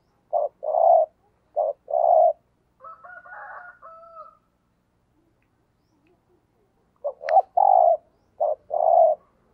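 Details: Spotted dove kept as a lure bird, calling 'thúc gù': clipped short notes each followed by a longer throaty coo, two bouts separated by a thin, warbling higher sound and a brief silence.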